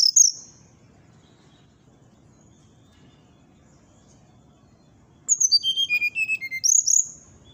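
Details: Brown-chested jungle flycatcher singing: a short high whistle at the start, a long quiet gap, then a rapid series of clear whistled notes stepping downward, followed by two bright rising-falling whistles near the end.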